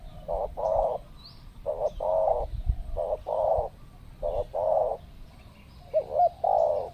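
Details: Wild spotted dove being lured during what is believed to be mating season, with birds arriving in pairs. It gives repeated mellow coos: a short note, then a longer one, in phrases about every second. Faint background birds.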